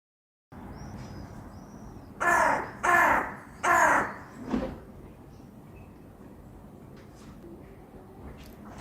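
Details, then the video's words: A magpie in a city street gives three harsh, grating calls about a second apart, then a weaker fourth, over steady city traffic hum and a faint high whistle as a car drives away. "Magpie Call in the City"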